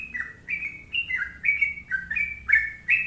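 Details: Sooty-headed bulbul song, gacor with long ropel: clear whistled notes alternating high and low, each short phrase sliding downward, repeated roughly three times a second in a quick, rolling rhythm.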